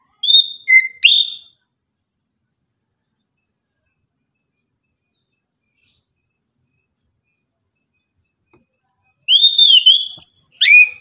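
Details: Morning 'tembakan' song of an orange-headed thrush: a brief burst of whistled notes with a downward slur, a long silence, then a rapid tumbling run of high whistles.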